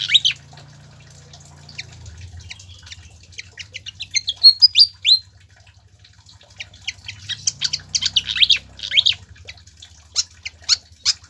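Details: Song of a pied fantail for tutoring captive songbirds: scattered thin chirps and upswept whistled notes in two busy bursts over a steady low humming background.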